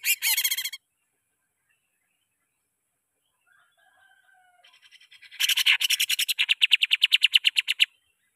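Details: Greater green leafbird singing as a lure for caged birds: a harsh buzzy burst, a long quiet gap with soft whistled notes, then a long rapid rattling series of raspy pulses.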